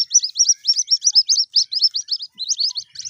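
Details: Captured white-breasted waterhen chicks, later set free, give loud, high-pitched peeps in a fast, steady run of roughly four per second. A brief pause comes before a final burst of chirps.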